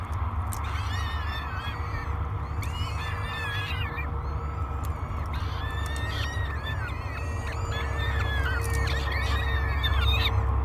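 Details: Hungry peregrine falcon chicks, three at a breakfast feeding, Great Spirit Bluff, 24 May 2022; irregular clusters of harmonic, wavering squeals repeated roughly every few seconds, with a persistent low electrical drone.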